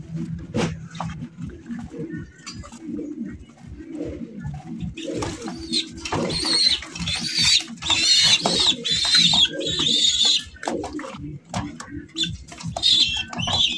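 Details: Domestic pigeons kept for sale as calling pigeons, including fancy, racer, golla and giribaz types, give low pulsing coos repeated many times a minute. Scattered higher chirps and bird noise sound in the background.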